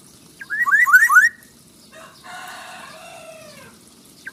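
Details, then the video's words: Black-naped oriole singing actively: a quick burst of four rapid rising-and-falling fluty whistled notes, then a drawn-out harsh, nasal sound with downward-sliding overtones, against a quiet background. "kepodang gacor"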